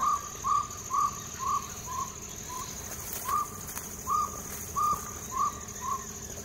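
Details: Wild Jungle Owlet at Silvassa, India, gives a steady series of short, hollow, mellow notes, about two per second, over a constant high insect drone.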